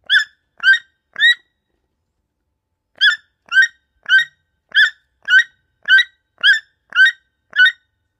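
A toucan gives short, harsh, croaking notes, three in a quick group, then a pause and a steady run of about eight more, roughly two per second.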